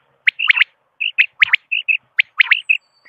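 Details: Common quail sounds used for hunting lures: short clear whistled notes mixed with quick sharp triplet phrases, delivered in a steady, lively string.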